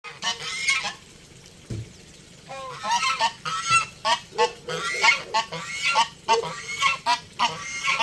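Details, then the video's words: Geese honking in a loud, resonant series, several harsh calls overlapping from about 2.5 seconds on after a quiet opening, bursts repeating roughly every half second. "Sonido de GANSOS"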